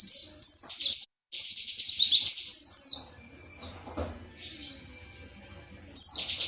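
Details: Indonesian white-eye in bursts of rapid, high, downward-slurred chirps, separated by short gaps and a quieter stretch with faint background sound.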